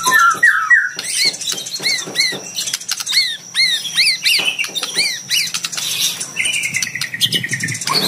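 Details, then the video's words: Oriental magpie-robin, a combative fighter-type bird singing a lure song meant to draw a rival into answering: varied loud whistles, then runs of repeated arched slurred notes with sharp clicks, ending in a long buzzy trill. "PANCINGAN MURAI PASTOL FIGHTER MENGUNDANG LAWAN IKUT BUNYI GACOR"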